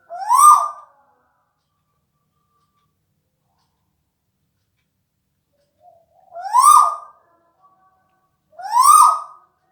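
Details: Tuwu bird relaxing, giving single hollow rising-then-falling hoots spaced several seconds apart in an otherwise quiet setting.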